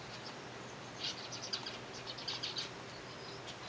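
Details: Colony zebra finches fed on soft food call in short bursts of sharp nasal beeps, a cluster early and another a second later, then falling quiet over a low hum.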